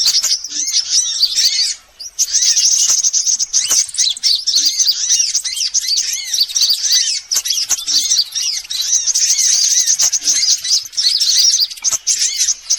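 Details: Sunbird lure recording for all sunbird types: nearly unbroken, shrill twittering and buzzy high trills from several overlapping callers, with one brief pause near the start.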